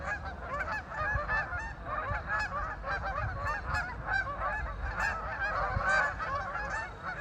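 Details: A dense flock of ducks on a lake keeps up continuous overlapping honking and nasal chatter, with no pauses, over soft low background noise.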